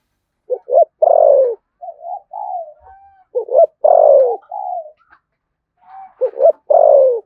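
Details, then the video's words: Spotted dove, Đồng Nai, Vietnam, cooing "thúc gù" style in the deep "thổ sấm" voice. Three phrases, each two quick stuttered notes then a long falling coo, linked by softer, flat humming coos. "cu gáy giọng thổ sấm Thúc Gù bài bản"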